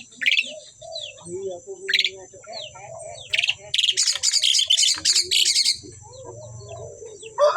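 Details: A pair of Asian pied starlings in very active song: loud harsh chattering bursts and dense noisy trills alternate with quieter gurgling, whistled phrases and steady low background hum.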